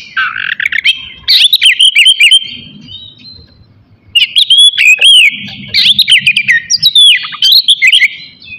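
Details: Kacer, the Oriental magpie-robin, in a morning song meant to trigger aggression and breeding urge in other birds: two loud stretches of rich, rapidly varied whistling and chattering, split by a brief quiet gap.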